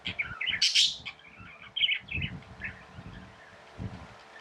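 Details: Tamed pet budgerigars give a loud squeaky burst, then softer scattered chirps and warbled notes fading into a hissy background with low thumping noises.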